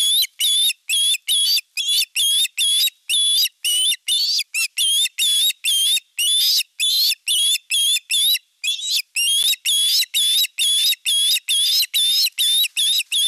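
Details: Osprey calling at its nest in Satakunta, Western Finland, on 19 July 2022 when the male brings in a big fish; a long, nearly unbroken run of shrill whistled notes, quick and insistent, roughly two per second, with one brief pause midway.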